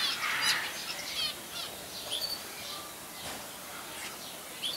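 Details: Zebra finch (Taeniopygia guttata) in a zoo aviary at Jaderpark, Jaderberg, Germany, 2017: short, bright, nasal chirps given in quick irregular bursts, with soft wing flutters and a light background hiss.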